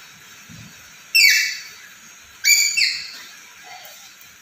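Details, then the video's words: Black-capped lory, a chatty talking bird, uttering two loud harsh calls about 1.3 seconds apart, each a buzzy descending squawk with rich overtones, over faint background hiss. "Suara Burung Nuri Gacor Dan Pintar Ngomong"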